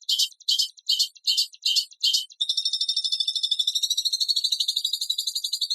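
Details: White-rumped shama song compilation with coarse, rapid-fire phrases: six harsh, buzzy bursts in quick succession, then a long fast trill of high, even, ticking notes repeated about twice per second.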